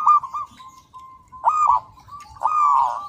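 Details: Local zebra dove singing as a master recording: short bursts of mellow, slightly rough cooing, rising in loudness with the last phrase held longer, over a faint low hum.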